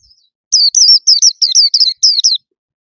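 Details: Caged white-eye in loud, bright song with many notes; a single fast phrase of about ten high, slurred, down-swooping whistles packed into under two seconds, against silence.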